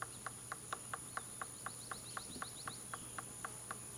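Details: At Hill Bank Field Station a male Golden-fronted Woodpecker chisels at possible nesting holes; crisp regular blows around four each second, accompanied by a faint high twittering sequence.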